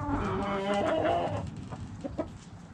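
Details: Backyard chickens, hens and roosters, giving a run of harmonic, nasal clucks and drawn-out squawky notes over the first half, then trailing off into quieter scattered clicks and low rumbling background.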